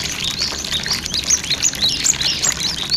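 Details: Cinereous tit song used as a lure to get wild-caught birds to sing, set over flowing water: a dense run of high, thin chirps and short rising whistled notes, overlapping almost without pause, with a steady watery hiss beneath.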